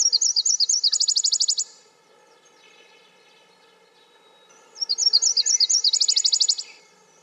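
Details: Nashville warbler song, given twice: a series of high sweet paired notes followed by a faster, lower trill, each phrase lasting under two seconds with a pause of about three seconds between, faint low hum beneath.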